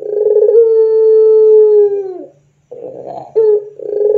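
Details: Puter pelung dove lure recording for training doves: a long steady coo slowly falls and fades, a brief silence follows, then rough rolling notes and a new coo begin.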